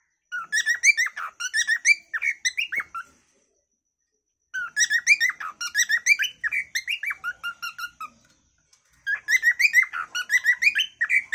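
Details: A cockatiel sings its natural calling song in three bursts of rapid harmonic chirps and whistles, roughly three notes a second, separated by silent pauses of about a second or more.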